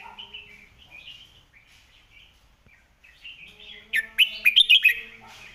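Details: Red-whiskered bulbul model song for tutoring birds: soft rambling warble at first, then after a pause a loud burst of about six rapid bright whistled notes.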